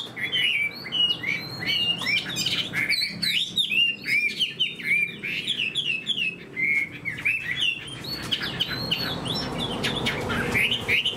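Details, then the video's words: Spread-tailed Chinese hwamei in a cage, kept for its eagle-wing display and fighting skill. It gives a long, varied song of rapid looping whistles and sharp upward flicks that continues almost without pause. "Họa mi đuôi xòe vip, chơi cánh đại bàng, đấu tốt"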